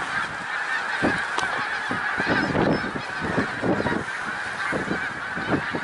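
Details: On 1 March 2021 at Middle Creek Wildlife Refuge, Pennsylvania, a flock of snow geese keeps up a continuous chatter of high yelping honks, with individual nearer calls standing out every second or so.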